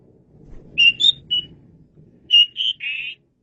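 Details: Asian pied starling (jalak suren) masteran song: clear, spaced whistled notes in two short bursts, ending with a harsher buzzy note, over a faint low rumble.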